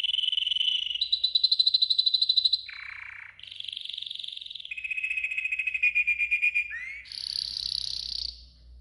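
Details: Yellow golden canary training song: a chain of rapid rolling trills, each held about a second, shifting between higher and lower pitches, with a quick upward slide before a final bright high tour. Clean recording, no other sounds.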